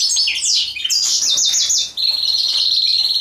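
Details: A mating European goldfinch gives a short burst of high, tinkling twitters and down-slurred notes, then a steady, thin, buzzy trill.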